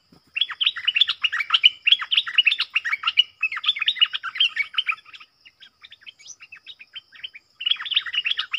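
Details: A whole family of wild streaked bulbuls, with a young one thought to be male, chatter during decoy luring: quick, sharp, slurred notes tumbling over one another, thinning to scattered chips over a faint high whine.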